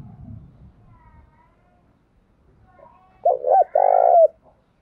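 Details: Single coo phrase from a tame decoy spotted dove calling intensely: two clipped notes then a long even coo. Low rumbling background comes before it.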